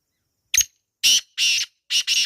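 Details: Black francolin in the wild, natural setting: one brief clipped note, then three loud rasping, buzzy bursts with a doubled final phrase, over a quiet background.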